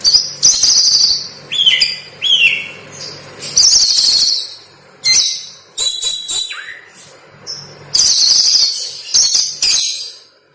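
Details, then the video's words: Oriental magpie-robin (kacer) singing a song filled with lovebird material, used as a training recording for other birds: loud, high, varied phrases of shrill buzzy trills, sharp chirps and a falling whistle, in bursts separated by short pauses. "Burung Kacer Isian Lovebird"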